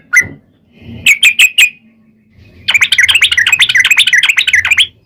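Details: Sooty-headed bulbul recording used to lure bulbuls into song: a lone note, then four sharp chirps, a pause with low hum, and a lively chattering run of bubbly notes to the end.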